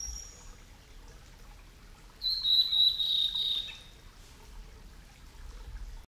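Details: Male blue-and-white flycatcher, a summer visitor, at Yamada Ryokuchi in Kitakyushu, Fukuoka, Japan, filmed over ten years ago on a SONY BVP-70IS. One high, thin phrase of about one and a half seconds mid-clip, slightly trilled and steady in pitch, over quiet low background noise.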